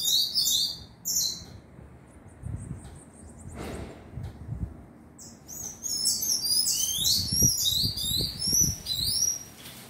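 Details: Tanager fledgling calling with a few high chirps at first, then a long, busy run of thin, sharply falling squeaky notes, over low thumping handling noise.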